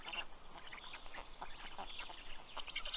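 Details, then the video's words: At a Black stork nest in Karula National Park, southern Estonia, on 11 June 2023 late morning, chicks beg from the adult bringing fish: short, hoarse, clustered squeaky rasps in quick succession. "Karl brings fish for all 😊Funny greeting sound by the Kids 😁"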